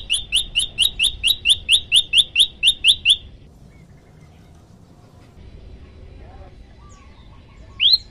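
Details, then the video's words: Male olive-backed tailorbird giving a rapid run of rising chip notes for about three seconds, then near silence with faint distant sounds, and one more loud note at the end. "pj lumut jantan gacor"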